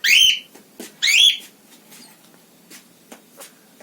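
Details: Two quick, harsh squawks from a female pet parrot kept indoors, sliding down in pitch, then faint clicks and soft ticks in a quiet room.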